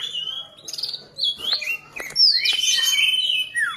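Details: A young ashy drongo copying a common iora's song: whistled notes that hop between pitches, then a loud, trilling tangle of overlapping whistles ending in a falling slur.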